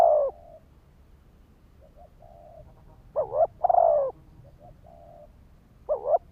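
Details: Spotted dove cooing, used to lure and trigger males: low soft coos in short groups, a doubled note then a longer drawn coo, with quiet pauses between phrases and a faint low background rumble.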